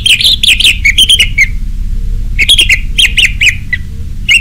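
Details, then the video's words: Orange-headed thrush in song, used as a lure recording for captive birds, giving loud bursts of rich, varied whistled and chattering phrases in two bouts, with a pause between, over a low steady hum. "Anis merah ngeplong"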